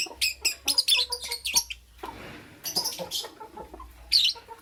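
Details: Morning lovebird chirps: a quick cluster of shrill, scratchy chirps, then a quieter stretch of softer chattering, and one loud harsh squawk near the end.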